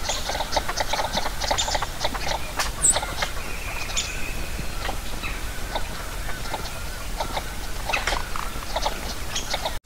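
Northern Shoveler: short, clipped nasal notes repeated irregularly, several birds overlapping, over a steady low rumble of wind or water.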